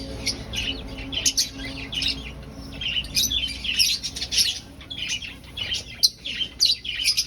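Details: Colony finches in an aviary, breeding and seeking a nest, utter rapid high, sharp chirps in uneven clusters, several voices overlapping, a faint hum behind.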